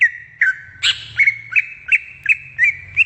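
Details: Greater green leafbird in the wild repeating short whistled notes about three times a second. Each note hooks upward, with one harsher chirpy burst early on.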